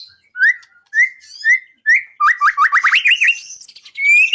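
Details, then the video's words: White-rumped shama singing on a contest-training recording: four clear, evenly spaced whistled upslurs, then a quick run of looping warbled notes and a final rising whistle. "Masteran burung murai bikin juara 1"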